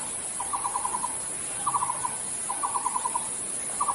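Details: A Nicobar pigeon in Bogor, Indonesia, gives quick bursts of five to eight mid-pitched, clucking pulses, about one burst a second, over a steady soft hiss.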